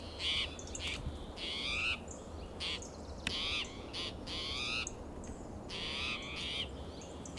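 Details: Agitated spotted towhee in Del Monte Forest, California, calling loudly from oak and pine on a June morning; harsh, mewing, harmonic calls about half a second long, repeated irregularly, some rising then falling, over steady low rumble.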